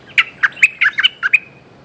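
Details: A Streak-eared bulbul calls to a mate with a lively phrase of about eight sharp, chattering notes, some doubled, delivered evenly in under two seconds.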